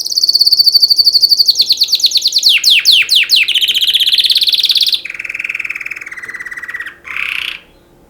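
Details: Canary singing for mating: loud, high sustained trill, then a fast series of descending sweeps, a buzzy rolling trill, a lower steady trill and a final short rising phrase, with a faint steady hum beneath.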